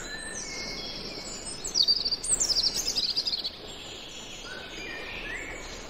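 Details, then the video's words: European robin singing a brief, high, thin phrase of quick trills and sliding notes, with faint steady background noise. "Captivating European Robin Song"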